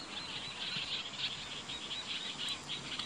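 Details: Bull-headed shrikes, male and female, exchanging territorial dispute cries in an autumn field of tall goldenrod in 2014; a rapid series of thin, high chattering notes repeats steadily with faint background hiss.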